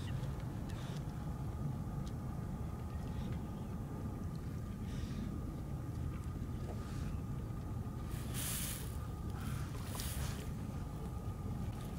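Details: A steady low engine rumble, like a boat or passing vehicle, with a faint constant hum and a few brief splashes or rustles, and no clear animal voice.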